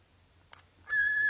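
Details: After a brief soft click, a cockatiel bursts into a strong, level whistle that continues to the end, bright and steady with clear overtones.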